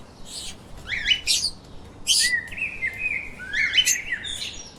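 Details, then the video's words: Lively lovebird chirping: rapid bright squeaks and short upward-sweeping notes, then a stretched wavering whistle, repeated in quick succession. "Explore The Chirping little Parrots"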